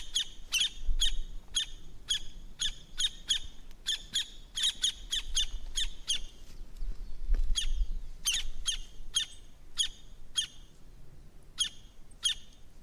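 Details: Campo flicker, a grassland woodpecker of South America that feeds on the ground, calling a long run of sharp, strident repeated notes, closely spaced at first then slowing and spacing out, with faint low background rumble.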